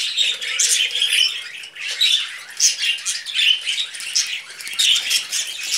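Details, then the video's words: Two pet budgerigars, brothers, sit on a hand and chatter in scratchy, rasping squawks and chirps, rising and falling in short pulses over a quiet room. "Budgie Brothers on My Hand"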